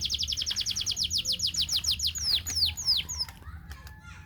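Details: Canary song in the morning for mating: a quick series of descending whistled sweeps, about three or four each second, slowing and fading into scattered soft chirps, with faint background voices.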